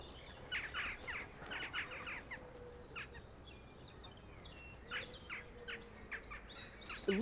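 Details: Western Jackdaws squabble in short, sharp, chattering calls in quick bursts, with a faint low hum and narrator; a two-year-old young adult jackdaw in a group, quarrelling noisily to establish the social hierarchy, typical of their communication.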